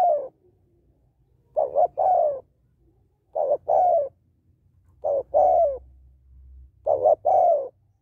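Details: Female spotted dove calling to stimulate males, steady repeated phrases of a short pulsed coo and a longer gently falling coo, about five bouts, over a low rumbling background.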